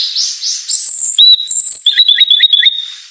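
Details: White-eye song opening with soft high warbles, then a long thin whistled note and a quick stuttering series of bright chirps.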